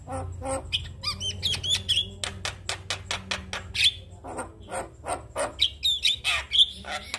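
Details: Male Javan myna singing for other mynas to imitate: fast clicking and rattling notes mixed with squeaky whistles, a low hum underneath throughout.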